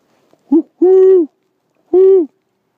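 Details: Calling great horned owl, one of a male and female pair responding to a person: a short soft hoot, then a long, level, deep hoot, a pause, and a second long hoot, clean background.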